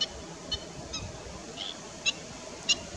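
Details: Black-winged stilt calling with a few loud, clipped, high nasal yelps spaced irregularly about half a second apart, against a soft constant rushing background.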